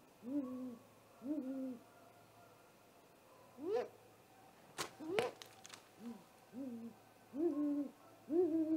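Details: Great horned owl attacking a great gray owl at its nest just after midnight on 30 March 2018, on a nest camera: a series of short, hoarse, wavering calls about once a second, plus a few sharp knocks and bumps.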